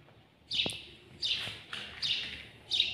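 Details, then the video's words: Close-up house sparrow (al-jawj) song: four bright, harsh chirps in three seconds, each dropping slightly in pitch, with little else audible. "تغريد جميل لطائر الدوري في اقرب صورة (الجاوج)"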